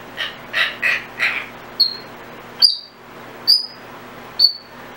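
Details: Female pet Timneh African grey parrot making random sounds: four rough, hoarse squawks in quick succession, then four sharp, high, downward-sliding chirps about a second apart, indoors with low background hiss.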